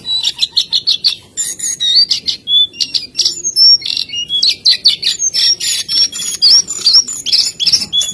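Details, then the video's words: Jongkangan in lively song, with a fast run of sharp repeated chips at the start, then varied whistled slurs, rising and falling notes, and buzzy trills packed closely together. "SUARA BURUNG JONGKANGAN GACOR GOYANG TELER SAKTI!!"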